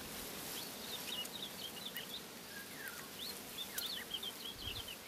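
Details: Soft woodlark song given while the bird grooms its plumage: faint, high twittering phrases, sparse at first and then denser near the end, against a steady hiss.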